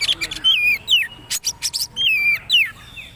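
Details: Oriental magpie-robin (kacer, poci trotol type) in a tutoring recording for caged birds to copy: clear whistled phrases sliding down, each followed by loud sharp clicking bursts, in a short lively sequence.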